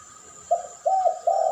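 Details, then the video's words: Spotted dove from a duet lure track meant to attract birds: three low, smooth coo notes spaced about a third of a second apart, the last held longer, over a constant faint background hum. "Duet masteran pancingan burung puter pelung.model suara juara dan Derkuku"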